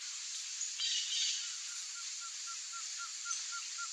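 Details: A female Blue-crowned Trogon (Trogon curucui) gives a steady series of soft, low, even notes, about four each second, over a constant insect hiss, with a few high chips from other birds.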